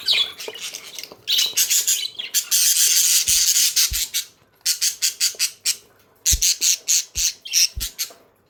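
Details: Budgerigar (Melopsittacus undulatus), chirping.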